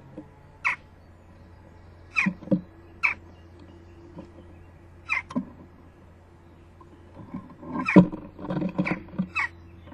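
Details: On its fledging day, 12 June 2015 near 11:19, a jackdaw fledgling perches at the nest hole and begs its parents for food: scattered scratchy, falling calls every second or two, then a burst of thuds and clustered calls near the end.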